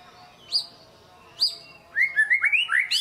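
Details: Caged white-rumped shama used as a lure to stir a lazy bird into singing: two sharp upswept whistles, then a quick run of rising, slurred whistled notes, over a low hum.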